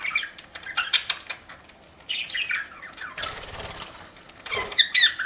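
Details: Budgerigar kept as a pet chattering while eating, with quick warbled chirps and a brief whirring flutter of wings midway, then more sharp chirps at the end.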